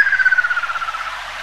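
A Ruddy kingfisher gives a fluty, rolling trill that slides gently downward and fades over about a second and a half.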